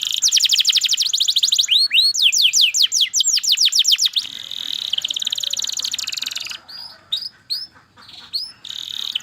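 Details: Singing canary delivering rapid trilled series, notes repeated many times per second, shifting into a softer buzzy roll and then spaced, swooping chirps.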